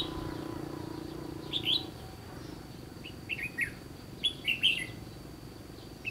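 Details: Red-whiskered bulbul, trapping context, Gulf of Tonkin: clear cheerful phrases of three or four fluty slurred notes, repeated after short gaps, with a thin constant high whine behind.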